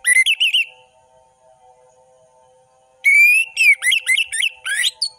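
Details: Varied Orange-headed thrush song: a wavering whistle, a pause filled by a low steady hum, then a long rising whistle followed by rapid warbled and tumbling notes.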